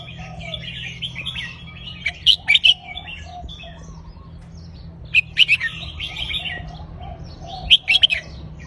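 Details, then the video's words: Caged red-whiskered bulbul giving looping counted-phrase song: three loud bursts of sharp whistled notes about every three seconds, with softer warbling phrases from other birds running continuously behind. "นกกรงหัวจุกนับดอก วนเพราะๆ หน้าฟัง"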